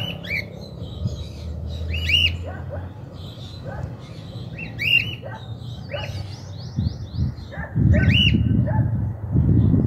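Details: Cockatiel living free after apparently escaping, seen on a rooftop in 2023, repeating loud rising-and-falling whistled calls roughly every second, with higher twittering and noise bursts toward the end.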